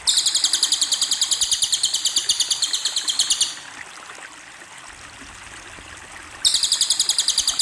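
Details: Cililin bird delivering fast, high, chattering trills: a long run of evenly repeated sharp notes for over three seconds, a pause, then the trill starting again, over soft background hiss.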